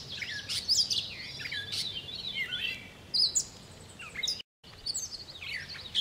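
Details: Loud, close catbird song recorded 10 July: rapid mixed phrases of sharp chips, squeaky whistles and jumbled warbles tumbling one after another, briefly interrupted by a short silent gap.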